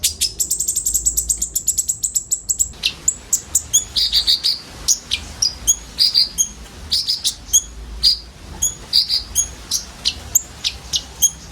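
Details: Common ioras kept together, filled-in song for luring sunbirds: opens with a fast, even rattling trill of high notes, then shifts to scattered chirps and brief whistled phrases.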